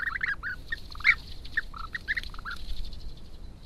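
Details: European bee-eaters at their nest-building site in the Algarve, Portugal, recorded by a trail camera; scattered short rolling, trilled notes from more than one bird, louder at the start and fading toward the end.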